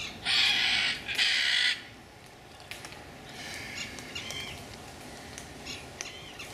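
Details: Captive pair of blue-throated macaws in an aviary on a quiet, fine day give two loud, harsh, raspy squawks about a second apart, followed by fainter scattered squawks and chatter from other birds.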